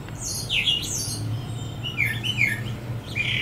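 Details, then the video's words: Brown thrasher singing in a Bradford pear on 23 February 2018, joined vocally by another: clear, varied phrases, a burst of bright, rich notes, a pause, then a run of chirpy, slurred notes over a low hum. "Brown Thrasher in Bradford Pear is joined vocally by another"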